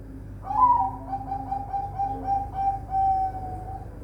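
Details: Perkutut, the zebra dove, raised at a bird farm in Semarang, Indonesia. It opens with a short upward note, follows with several soft pulsing coos, and closes with a sustained, level, flute-like note.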